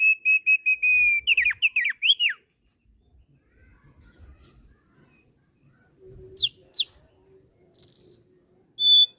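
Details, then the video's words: Thick-billed heleia kept in captivity delivers a string of even, repeated whistled notes that break into rapid slurred twists, then pauses before a few scattered high whistles and short sharp notes. "SUARA MANIS YANG KELUAR DARI BURUNG RAWATAN OPIOR PARUH TEBAL"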